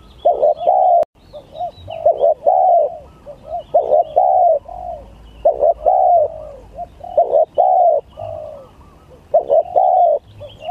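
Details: Song contest of spotted doves, gagap tindan against klantan: dense series of hollow coos, stuttered short notes alternating with longer falling ones, phrases following closely one after another, with faint high twittering behind.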